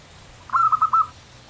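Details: Singing local zebra dove: one brief, mellow, trilled coo made of several quick pulsing notes at an even pitch, heard clearly against a low steady hum.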